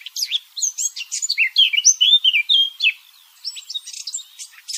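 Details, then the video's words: A Eurasian blackcap, its song used as a hunting lure, pours out a fast, varied warble of high chirps and fluty, slurred notes with scarcely a pause. No other sounds are heard. "صوت عصفور التين للصيد| صوت الدخل|blackcap bird sound"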